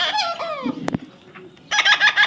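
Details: Parrot outdoors: opening descending whistled notes, a sharp click, a quiet gap, then a raspy series of three or four harsh harmonic syllables.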